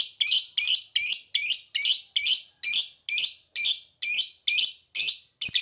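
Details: Lovebird performing a long ngekek chatter, played as a lure to make other birds respond: a steady, rapid run of about thirteen harsh, raspy bursts, each roughly a third of a second apart, with no other sounds.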